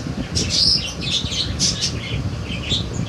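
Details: Young budgerigar chicks from a 2022 breeding make shrill, scratchy chirps in quick bursts against a steady low background hum.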